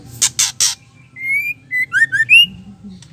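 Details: Female White-rumped shama ketrekan, used to provoke males into full song: a trio of fast, grating bursts followed by sweet upslurred whistles and short twisting notes, in a quiet setting.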